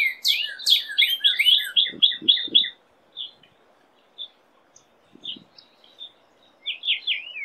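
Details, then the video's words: A Northern cardinal sings a quick burst of bright, downslurred whistled notes, then gives scattered single chirps, with a few low thumps beneath. "BEST CARDINAL bird song chant cardinal"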